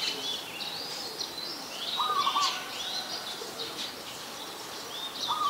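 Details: Zebra dove, adult, Ubon Ratchathani, Thailand, February 2022: a soft staccato trilled coo midway, then another at the end, set against high whistles and chirps from other birds.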